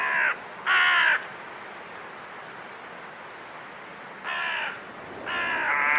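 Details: Raven calling with four rough, flat caws: two close together at the start, then a long pause before two more, with faint background hiss between them.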